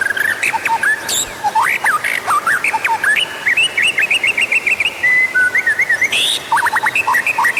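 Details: White-rumped shama song played to prompt other birds to sing: varied whistled phrases, a rapid repeated note series, a sustained level whistle and quick rising notes at the end.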